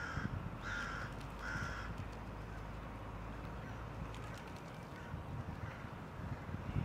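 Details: Hooded crow (Corvus cornix) in Tivoli Landscape Park, Ljubljana, Slovenia, 29 December 2023, gives three harsh, nasal caws in quick succession over the first two seconds, then falls silent against a steady low rumble of distant traffic.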